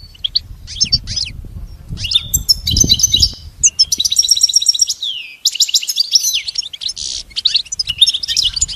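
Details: Goldfinch song for tutoring a pet goldfinch: an extended medley of quick, high twitters, buzzy trills and nasal notes running almost continuously, with a soft low rumble early on.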